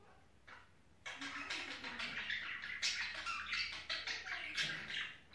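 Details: Budgerigar during mating season: after a quiet first second, a dense, rapid warbling chatter of scratchy chirps and short squeaky notes runs continuously, with faint lower tones underneath.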